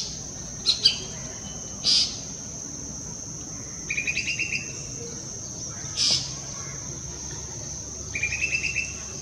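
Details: A golden-fronted leafbird in the Western Ghats at Pawas, India, gives sharp high chirps and short, fast chattering runs, spaced every couple of seconds, over a steady high-pitched insect drone.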